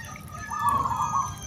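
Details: Zebra dove (perkutut anggunan) cooing, played to test whether other doves respond: a single brief, soft, purring trill of under a second, set against a constant low background rumble.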